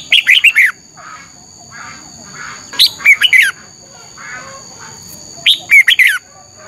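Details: Red-whiskered bulbul, morning competition singing intended to stimulate rivals: three short phrases of four or five clear, falling whistled notes, spaced about two and a half seconds apart, softer chirps from other birds between them.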